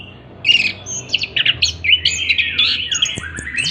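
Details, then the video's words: Orange-headed thrush singing a long, rich, unbroken roll of song: high whistles, quick trills and scratchy phrases tumbling together without pause, over a faint low hum. "Anis Kembang ngroll Panjang"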